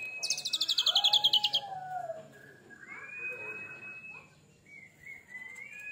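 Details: Oriental magpie-robin (kacer) that has molted once, singing 'tembakan': a fast loud rattle of about fifteen high repeated notes, a descending whistle beneath it, then quieter long level whistles rising slightly at the end.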